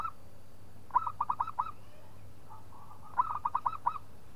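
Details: Local zebra dove singing to provoke a rival into calling: two bursts of rapid, staccato cooing notes, each a quick run of about six hollow beats, separated by a pause with a faint distant cooing phrase and a low steady hum.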